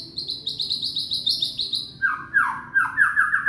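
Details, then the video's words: Indonesian young white-rumped shama, a lure to restart shamas that have gone quiet: a fast, high chattering trill of repeated notes, dropping into lower, loud descending whistled phrases. "Murai batu muda tunjukan pesona,cocok buat pancingan murai macet bunyi"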